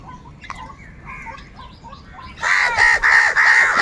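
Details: Loud, angry crow calls from birds fighting for food: after a quiet stretch of soft chirps, a run of rapid, grating caws bursts out and repeats almost without pause to the end.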